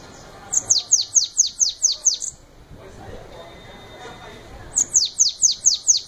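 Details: Shiny cowbird song: a fast series of about eight thin, high descending whistled notes, a pause with faint background noise, then a second similar run of notes.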